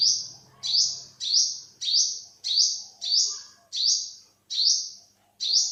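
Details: Series of nine high, sharp, upswept notes from an olive-backed sunbird, delivered in a slightly irregular rhythm about 0.6 seconds apart, with a faint low hum at the start.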